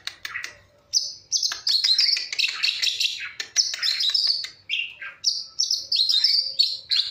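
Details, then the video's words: Long-tailed shrike chirping in the morning: a lively, varied run of high squeaky notes, sharp chips and short warbled phrases, nearly continuous with brief gaps, ending in repeated high whistled notes. "cuitan cendet di pagi hari"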